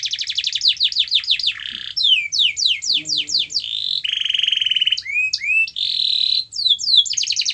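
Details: Canary song played to coax a quiet canary into singing: rapid trills of descending buzzy notes, a steady rolling tour, then curved swooping whistles and fast repeated chips, all high-pitched and bright.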